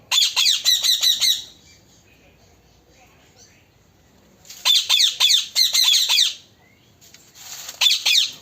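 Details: Parrot, called a talking parrot, repeats harsh, piercing screeches in quick clusters of four to six, separated by a few seconds of near silence.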